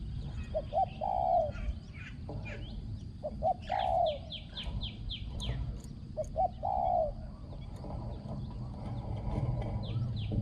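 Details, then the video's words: Luring-decoy spotted dove with a small, ringing voice repeats its cooing phrase three times about every three seconds. Each phrase is two or three clipped notes and then a long, low coo. Other birds add high chirps and there is faint rustling. "ต่อนกเขาใหญ่ | เสียงเล็กก้อง คารม หนุนคู คูดีมาก"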